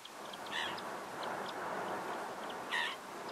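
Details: Black-winged stilt, subspecies himantopus, recorded in the Camargue, southern France, August 2019: two sharp nasal yapping calls roughly two seconds apart, with scattered faint ticking notes between them and a constant broad outdoor rush behind.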